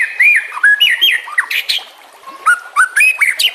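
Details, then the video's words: White-rumped shama singing for training other songbirds: mellow slurred whistles rising and falling, scratchy interjections and a short flat whistle before quick bright phrases. "Suara kicau burung murai batu. Masteran buat:cendet plentet trocok cucak ijo rowo jalak."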